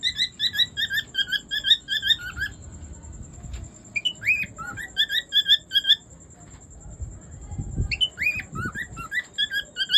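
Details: An albino cockatiel gives rapid, repeated chirping calls with a few rising whistled notes.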